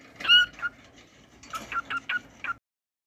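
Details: Pet cockatiel singing: a loud, bright harmonic chirp followed by a pause, then a quick run of five short, clipped whistled notes, close and clear against a quiet background.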